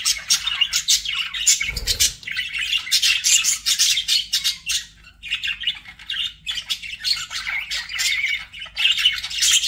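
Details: Pet budgies give a steady stream of bright chirps and gritty squawks, rising and falling in loudness with a soft low thump near the start.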